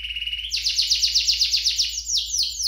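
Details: Canary song for prompting caged birds to sing: a short steady whistle, then a rhythmic chain of quick descending notes at about five per second, slowing toward the end.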